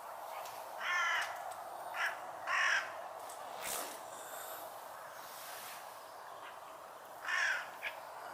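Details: A group of cormorants at Rutland Water Nature Reserve, England, on a morning in early October 2019, heard from a hide: short harsh croaking calls spaced irregularly over several seconds, against steady background hiss.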